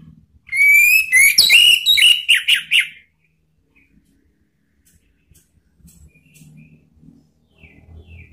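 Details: Male orange-headed thrush singing spontaneously in full voice, used as a lure and therapy for birds that stop singing; a rapid run of loud whistled and warbled notes lasting about two seconds, followed by near silence.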